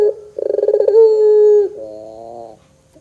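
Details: Puter pelung dove calling as a lure: a fast stuttered pulse series runs into a held steady note with a slight dip at the end, followed by a lower layered rolling phrase that fades out.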